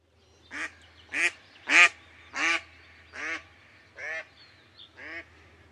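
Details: A mallard in Liepāja, Latvia, in September 2024 gives seven coarse, nasal quacks, each about two-thirds of a second apart, the later ones a little softer, over a faint low hum.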